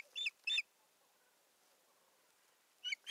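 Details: Osprey on its nest in Satakunta, Finland, 7 May 2019, while a stick is added and the nest tended; two strong whistled yelps close together, silence, then a third at the end.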